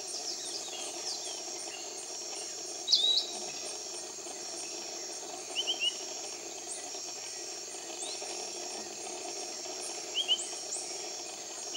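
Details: Piratic flycatcher in tropical rainforest near Iquitos, Peru: short, high, slurred whistled notes a few seconds apart, over a steady shrill drone of insects.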